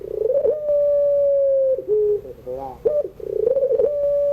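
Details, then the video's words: Crying-style evening song of a puter pelung dove for young birds learning to sing: a pulsing lead-in, a long steady hooting note, a lower short note, wavering murmurs, then a fresh throbbing build-up into another long note. "tangisan suara puter pelung sore hari"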